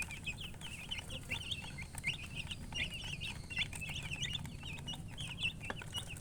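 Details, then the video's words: Young chickens giving a continuous stream of shrill, bouncing peeps from several birds at once, accompanied by faint clicks and a low droning rumble. "Baby "Chicks Chirping" Sound"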